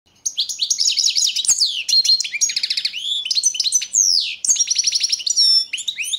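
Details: European goldfinch of the Balkan form Carduelis carduelis balcanica, competition entry 003/22 in the 2022 World Championship in Goldfinch Song, Serbia; rapid twittering song of high trills, tinkling notes and buzzy rising slurs, nearly continuous.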